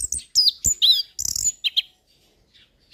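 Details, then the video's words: Tutor song of an established orange-headed thrush: a dense run of high squeaky, slurred phrases with fast twitters, two short chips, then near silence with faint distant notes. "Anis Kembang Pastol Dengan Suara anis Kembang Mapan"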